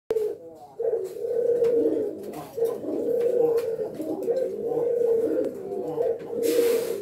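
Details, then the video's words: A male F1 hybrid of a male Island Collared Dove and a female Ringneck Dove gives low, rolling, drawn-out courting and excitement coos with brief pauses between, plus light clicks and rustles in a small room. "Island Collared Dove(Puter Geni) X Ringneck Dove(Puter) Hybrid Courting Sound and Excitement Sound"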